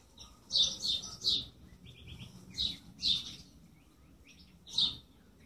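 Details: High bird chirps come in a quick group of three, then a pair, and one final note after a silent stretch, with a faint low hum behind.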